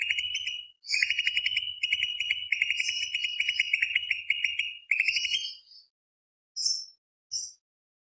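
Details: Greater green leafbird in a long rapid rolling trill, dense rattling phrases run almost continuously for five seconds, followed by two short high whistled notes.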